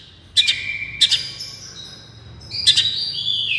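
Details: Long-tailed shrike in 'miyik' therapy song: three loud clicking double chips, each followed by a sustained high whistled note, the last one trailing into a wavering whistle.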